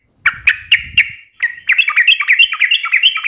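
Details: Yellow-vented bulbul (trucukan) singing gacor ropel: four evenly spaced bright chirps, then a dense, fast, chattering run of whistled notes rising slightly in pitch.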